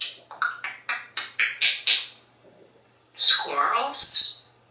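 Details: Pet African grey parrot kept indoors at a home in Texas, imitating other animals. A run of about eight sharp, evenly spaced chirping notes is followed by a pause, then a rough, squawking call that rises and falls.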